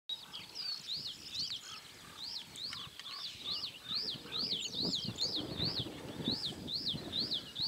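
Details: Male and female northern wheatears at Julków, 28 May 2017, give high, thin whistled notes that rise and fall, repeated quickly at about two per second, over a low outdoor rumble.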